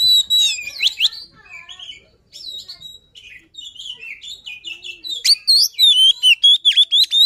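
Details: Luring song of a white-rumped shama: bright whistled phrases and quick chirps opening loudly, a quieter varied middle stretch, then a fast burst of sharp, repeated high notes.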